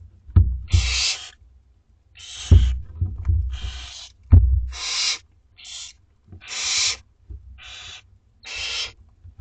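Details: Barn owlets two weeks old begging at feeding time in a school garden: broad raspy hisses roughly every second, some short and clipped, mixed with thuds and scuffling noises from the nest.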